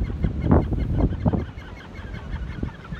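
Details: Gannets at a colony in Hawke's Bay, New Zealand, give harsh, low, guttural grunts in short bursts, several within three seconds, over a rough murmur of other colony birds.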